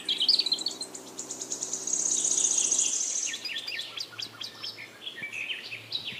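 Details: Baby bulbul trying to get out of the nest: a dense high insect-like buzz fills the first three seconds, then sharp chirps and short upslurred tweets follow in quick, irregular succession.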